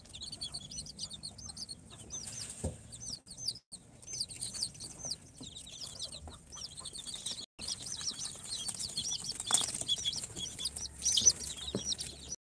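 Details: Baby chicks hatched in an incubator, Sultan, Golden Sebright, Cochin and booted breeds at day four, keep up a steady stream of high, looping peeps from many birds, briefly dropping out twice, with faint low hum.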